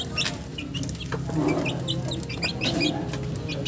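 A chicken gives low, throaty clucks twice, about a second apart, over a steady hiss. Scattered thin, high chirps sound above.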